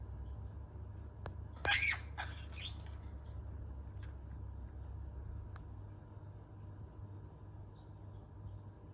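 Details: A green pet budgerigar gives a brief burst of scratchy, chattering chirps over a steady low hum.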